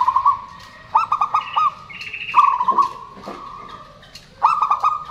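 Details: Local zebra doves, males and females answering each other: several phrases of stuttered looping coos and long purring trills, with a higher trill overlapping midway, used as a lure for birds that stopped singing.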